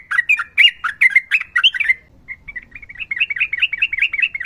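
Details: Sooty-headed bulbul in full ropel song, a dense run of bright warbled chirps for two seconds, then a steadier string of quick rising-falling whistled notes.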